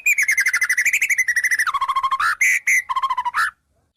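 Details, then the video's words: Fast warbling trill from a White-rumped shama mimicking wild birds, wavering then dropping in pitch midway. A few harsh bursts and lower whistled notes follow before it stops abruptly. "Suara Murai Batu Full Isian Burung Alam"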